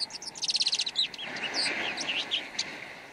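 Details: Red-backed shrike in song, opening with a quick rattle of about a dozen clipped ticks, then slurred warbling and squeaky whistled phrases.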